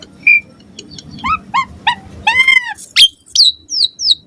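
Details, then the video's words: Lively morning song of an Asian pied starling, used as a lure for starlings: a clear whistled note, rising upslurs, arched slurred notes, a sharp click and several high down-sweeping chirps. "Suara Jalak Suren Gacor Ampuh & Efektif Pagi Hari Buat Pancingan Burung Jalak Agar Gacor Full Isian"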